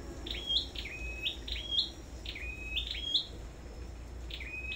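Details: Caged Sâu đầu đỏ songbird at a bird farm during a singing contest, giving clear whistled phrases that sweep up and then hold a level high tone, about six phrases in under five seconds, with steady low rumble behind.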